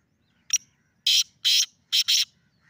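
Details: Black francolin calling from the top of a rock: loud, harsh, rasping notes, one short and sharp, then two longer grating bursts and a tight closing pair, against a quiet background.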